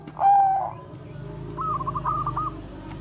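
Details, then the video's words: Bangkok-type zebra dove (perkutut) in bekur 'koar-koar' style, a song meant as a lure for training doves: one loud drawn-out coo followed by a soft, rapid stuttering trill, with low hum behind. "perkutut BANGKOK BEKUR KOAR-KOAR bagus untuk PANCINGAN PERKUTUT"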